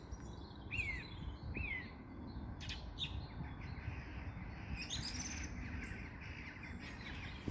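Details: Common Blackbird singing in spring: a couple of short whistled notes sliding downward, then sparse high twittering phrases over steady low background noise.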